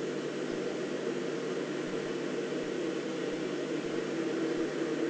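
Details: Constant hiss with a faint mechanical hum runs throughout, with no animal sounds.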